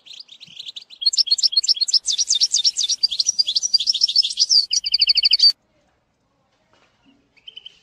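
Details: Training song of a European goldfinch for a young bird: lively rapid twittering with sweeping notes, ending in a fast even trill that stops abruptly, then near silence with a faint chirp.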